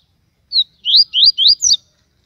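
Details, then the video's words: Papa-capim from Aracaju, Sergipe, a strong and high singer, delivering five crisp whistled notes in quick succession, mostly rising slurs, the last one doubled and falling. "Papacapim baiano TUI TUI SHOW,esse passa canto"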